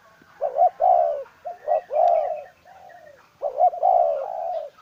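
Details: Spotted dove kept as a decoy, giving soft coo phrases: a couple of brief rising notes then a long drawn coo, repeated three times, plus a faint higher chirping behind.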